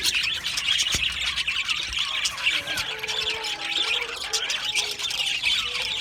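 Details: Australian budgie parrots chattering constantly, high buzzy twitter over faint lower whistled slides and a few sharp clicks.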